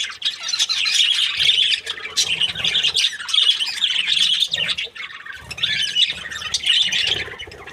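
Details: A happy budgerigar breeding pair warbling steadily: a dense stream of buzzy chirps and chattering notes that briefly dips, then resumes.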